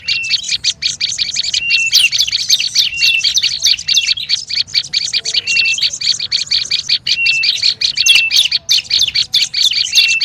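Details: Olive-backed tailorbird, noisy lure call: a long, rapid series of sharp, high chips with occasional flat whistles, continuous and excited over ten seconds, with only brief gaps.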